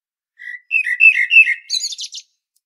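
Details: Common blackbird singing at Medvednica Mountain, Zagreb, Croatia: a run of rich mellow fluted notes rising and falling, closing with a high scratchy chattering burst; recorded on a Panasonic Lumix DC-TZ90.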